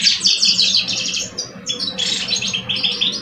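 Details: Pair of caged male European goldfinches, an old bird and a two-year-old, singing against each other: a continuous, rich jangle of rapid high twitters and trills filling the whole moment.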